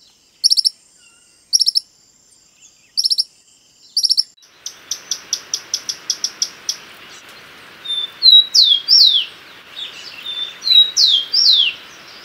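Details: Common tody-flycatcher (Todirostrum cinereum) calling, giving high, dry clicking bursts about once a second, then a quick run of ticks and sharp downslurred chips over a soft hiss.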